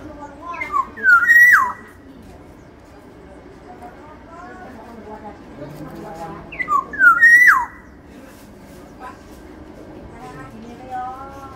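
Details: Sumbawa black-naped oriole with a large body repeating its fluty whistled phrase twice, about six seconds apart: stepped descending notes leading into a bright sustained whistle that sweeps sharply down, with soft low noises and faint voices.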